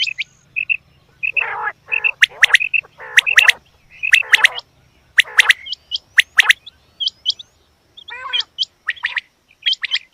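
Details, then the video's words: Female quail calling: short clipped chirps and harsher buzzy rasping notes in irregular bursts, high-pitched whistled pips scattered throughout, with pauses between groups. "Batair Ki Awaz Quail Sounds bedana ovozi"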